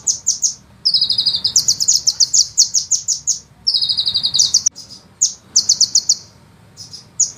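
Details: Sunbird 'ngeroll' song at close range: fast, dense, very high trills in extended runs, one near-continuous rolling phrase of quick notes, a couple of faint clicks, then scattered short bursts and gaps.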